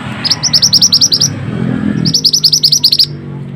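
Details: Mantenan singing for masteran training, giving two quick bursts of high, clipped chirps of about ten notes each, separated by a short pause, over a low rumbling background.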